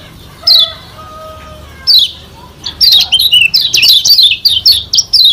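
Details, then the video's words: Lombok white-eye, a yellow kecial kuning, singing a masteran training song used to provoke rivals: a few thin, steady whistles at first, then a loud run of quick, high, descending chirps and twitters. "Masteran Kecial Kuning SELALU SUKSES Pancing Emosi Lawan Bikin Cepat GACOR"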